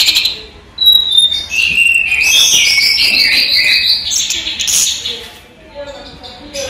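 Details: Orange-headed thrush, a collection bird, singing by day: after a short silence, high whistles lead into a fast, trilled, wavering run of notes, then fainter scattered chips.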